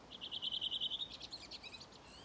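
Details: Redwing singing its dialect song along the Ljustorpsån river at a gravel pit in Timrå, Sweden, on 5 June 2023: a fast run of about a dozen clear, high repeated notes, then a brief jumbled, higher twittering flourish.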